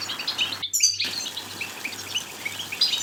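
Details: European goldfinch song from Morocco, meant to stimulate goldfinches to sing and attract a female to mate: high, thin tinkling twitters and short chirps scattered throughout, with one brief dropout.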